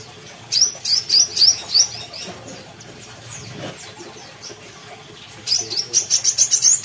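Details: A Bornean brown-throated sunbird from Kalimantan gives two quick runs of about six high, thin chips, roughly three notes per second, with a few seconds of quiet between them.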